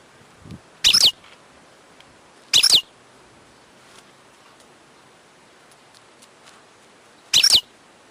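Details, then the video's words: Wild European goldfinch calling, three short, sharp, high chirps spaced irregularly a second or more apart, with faint low rustling between them. "chant chardonneret sauvage/ تغريد حسون نار"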